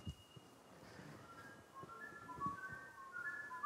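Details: A lyrebird played back during a talk, copying a flute, a song found across much of New England and the North Coast of NSW, gives pure, flute-like whistles gliding between a few steady notes in a short melodic phrase, with faint room thumps beneath.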